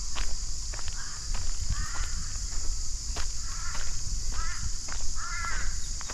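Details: Mid-afternoon in the Queensland bush, Australia: a kookaburra laughs in repeated groups of quick, throaty chuckles about once a second. An unbroken high cicada buzz and scattered footsteps sound beneath it.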